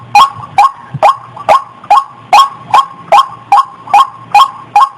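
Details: Mating call of a female white-breasted waterhen in breeding condition: a dozen sharp, raspy notes repeated quickly and rhythmically, around two to three per second, with a soft low drone in the background.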